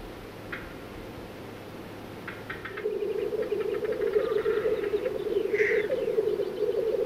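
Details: Black-billed Capercaillie at a forest lek in the Baikal Nature Reserve, Buryatia, Russia: dry knocking clicks in short rapid runs over a steady low bubbling murmur, then a brief higher whoosh near the end.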